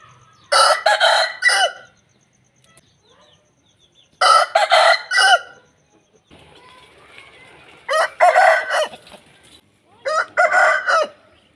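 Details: Aseel roosters crowing: four loud, broken, raspy crows spaced a few seconds apart, each roughly a second or more long. A soft hiss runs between the later calls.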